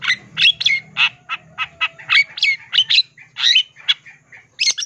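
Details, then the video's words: Long-tailed shrike back in voice after going silent, replying and delivering its mimicked song content (isian); clipped harsh notes roughly three a second, mixing scratchy squawks with short upslurred whistles, a faint low hum beneath. "Cendet macet bisu jadi PANAS NYAUT dan ikutan BONGKAR ISIAN FULL ISIAN GACOR"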